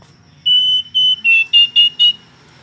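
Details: Short burst of Hill blue flycatcher song: a row of six loud, clear whistled notes, the first held longest, the later ones shorter and slightly wavering, over a quiet background.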